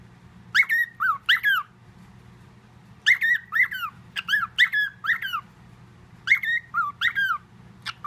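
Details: Pet parrot, a male mimic, whistles a blend of the Andy Griffith theme and other tunes at home; clipped groups of bright, falling and rising whistles come in spurts, with gaps of about a second and a faint background hum.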